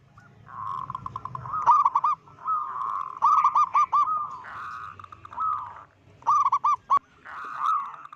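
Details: Loud-voiced local zebra dove calling steadily, a lure call meant to panic other zebra doves: mid-pitched cooing phrases alternating with quick staccato bursts of bouncing, hooked notes, repeated through the recording, with a faint low rumble at the start.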